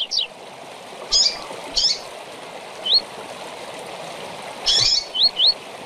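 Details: Tui-tui song with chirps from a double-collared seedeater, used to train young birds: scattered harsh high chirps and single or paired rising whistles, sparse over loud background water noise.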